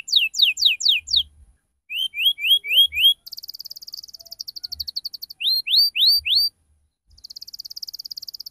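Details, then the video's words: Ngriwik cuit-cuit canary song meant to prompt juvenile canaries: alternating tours of descending sweeps, rising whistled notes and fine buzzy trills, each run repeated several times. "SUARA PANCINGAN KENARI PAUD BELAJAR BUNYI NGRIWIK CUIT CUIT"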